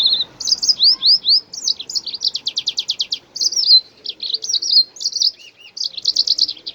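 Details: Kokret, or jasmine bird, in a long varied song meant to stimulate other birds to sing: high upslurred whistles, rapid buzzy trills of repeated notes and twittering phrases in near-continuous sequence.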